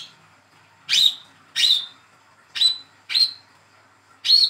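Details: Young speckled Olive-backed sunbird raised by hand, calling as a lure for silent birds: five bright, high, rising tweets spaced unevenly with short quiet gaps.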